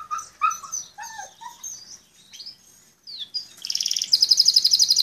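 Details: Belgian canary singing: a run of varied whistled and slurred notes, some rising and some falling, then a fast, bright, buzzy trill repeated rapidly to the end.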